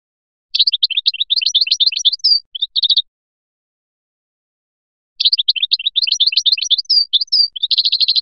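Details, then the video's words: European goldfinch, Biskra Felyachi song: two long, lively phrases of quick tinkling chirps with a few whistled accents, the second closing in a tight buzzy trill. "تغريد مقنين بسكرة الفلياشي الرائع"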